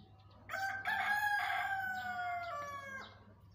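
A green peafowl gives a loud, harsh, drawn-out call of about three seconds, breaking into linked notes that slide slightly downward. The background is quiet.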